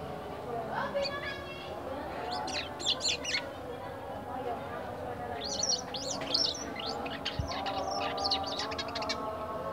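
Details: Black-winged myna kept caged about a week after purchase from a market bulk lot, song varied though still early twittering: two bursts of rapid, scratchy and whistled notes, the second longer, over a steady mechanical hum.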